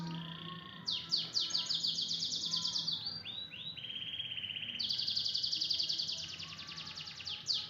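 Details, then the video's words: Canary singing full 'tembakan': fast repeated high upsweeping notes, a lower buzzy trill, then a long bright rapid trill of even repeated notes, loud and continuous against a soft hum. "SUARA KENARI FULL TEMBAKAN."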